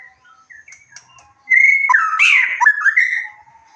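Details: White-rumped shama song used as a lure to raise emotion and breeding drive so a bird answers and shows its repertoire: quiet distant chirps, then a loud burst of rich whistles, rising, falling and slurred notes with buzzy high flourishes.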